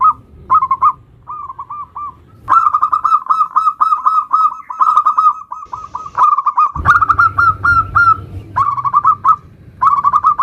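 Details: Local zebra dove singing in the nutut style, used as a lure to draw song from other zebra doves: rapid strings of short, soft coos on one low pitch, phrases repeated with brief breaks, plus some low rumbling noise.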